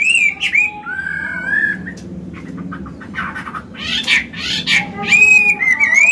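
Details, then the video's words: A mature hwamei, singing in the wild forest voice to coach young caged birds. Sweeping whistles give way to harsh, noisy bursts in the middle, then return as clear rising and falling notes over a background hum. "Họa mi già giọng cực hay, luyện bổi, kích trống hót hay"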